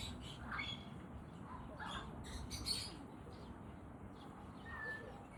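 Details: Affectionate African grey parrot giving short scattered squawks and chirps, with a brief whistled note near the end over a steady low background hum.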